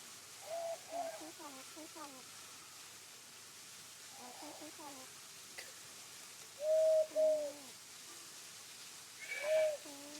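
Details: Black-collared starling producing odd noises, apparently never taught song by its parents; soft, scattered tonal notes, some short and chattering, others longer flat whistles with dropping tails, over a faint hiss.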